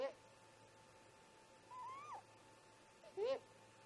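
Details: At the snag nest around 04:25, a great grey owl parent gives a rising whistle between short, lower, louder upslurred calls at the start and end. The exchange is between the two parents, heard in the early morning.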